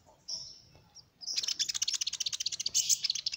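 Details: Sunbird song used to draw in small birds: a thin sustained high whistle, then a sudden burst of rapid, very high chattering notes in a steady fast rhythm.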